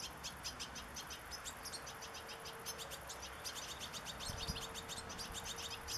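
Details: Fledgling European goldfinch calling to be fed, 27 August 2014, with sunflower seeds as food: dense runs of shrill, rapid chirping notes, a low steady hum and a few soft thumps beneath.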